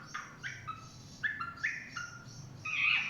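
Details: Chinese hwamei singing in the forest, heard more softly: short separate whistled notes and brief slurs spaced through three seconds, ending in a louder burst of higher twittering, with steady background hiss.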